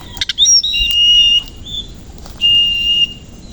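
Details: Koci Oriental magpie-robin singing in the morning, tail fanned; quick chips and rising whistles lead into two long, clear, level whistled notes.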